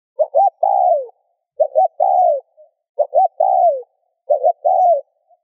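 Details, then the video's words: Four rhythmic coo phrases from a spotted dove, each two quick notes and a long descending note, roughly every 1.3 seconds, with no other sounds; played to stimulate other doves to coo. "Tiếng cu gáy RÚT BỔI hiệu quả"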